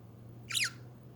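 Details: One brief budgie squawk, harsh and descending, over a low steady hum.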